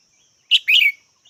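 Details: Red-whiskered bulbul producing one loud call, a sharp opening chirp followed by a bubbling, warbled note that drifts down, over a faint high hum.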